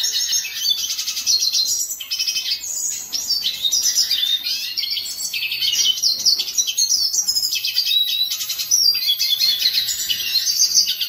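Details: Hooded siskin (cabecita negra) in lively song: an unbroken, high-pitched rambling twitter of quick chirps, short trills and fast sweeping notes, with brief buzzy bursts and no pauses longer than a moment; no other sounds stand out.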